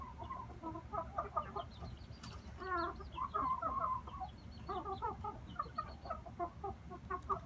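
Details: Several inbred male red junglefowl, brothers, producing steady runs of low clucks and short chattered notes, with a few louder bursts midway over a continuous low background rumble.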